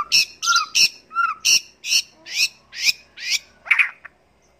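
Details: White-rumped shama used as a training tutor recording, giving a run of about ten loud, sharp, harsh chirps roughly every third of a second, some with a lower whistled note mixed in, ending in a brief warble.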